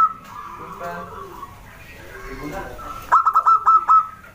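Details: Small local wild zebra dove in full song: soft drawn-out tones at first, then a rapid staccato run of six ringing, clipped cooing notes close together, fading into a held tone.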